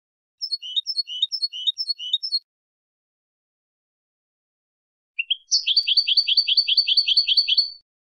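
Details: Goldfinch singing a short series of chirpy, bouncing double notes, then after a silent gap a rising note that breaks into a rapid, evenly repeated trill; high and clear with a quiet background.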